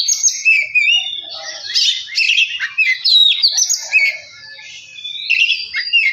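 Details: Varied Oriental magpie-robin song, used to rouse another bird: a tumbling stream of fluty whistles, sliding notes and harsh rasps, dipping quieter briefly before a final loud phrase.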